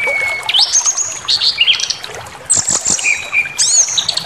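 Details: Brown-chested jungle flycatcher, sung to incite anger: a long steady whistle rises into loud high slurred phrases, then scratchy bursts, a wavering mid-pitch trill and a final high rising whistle.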